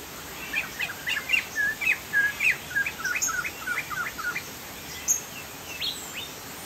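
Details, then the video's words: Sumatran Chinese hwamei in full song, giving quick runs of short whistled slurs and clear notes, several per second, then spaced single whistles toward the end, with soft background noise. "POKSAY JAMBUL GACOR"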